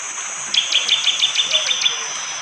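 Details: Bar-winged prinia in forest at Wonocoyo Village, Panggul, East Java, Indonesia, recorded by phone in the morning, giving a hard, sharp 'tembakan' song: about nine quick, clipped high notes in a rapid even series, over steady hiss of rain water and insects.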